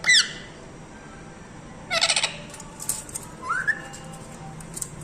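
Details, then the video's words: Talking parrot uttering two harsh, raspy squawks a couple of seconds apart, then a short rising whistle and a few softer chatters, over faint background hiss. "TELKING PARROT"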